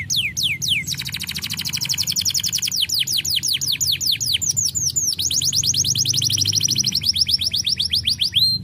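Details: Domestic canary song: a few falling whistled notes followed by long runs of rapid, rolling trills that change tone partway through, high-pitched and continuous.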